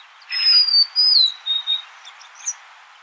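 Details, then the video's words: Golden-crowned sparrow sings a sweet whistled phrase that steps down through three held notes, each lower than the last, followed by a few soft, faint high notes. "Natural Birds Voice, Bird Natural Sound.Golden crowned Sparrow."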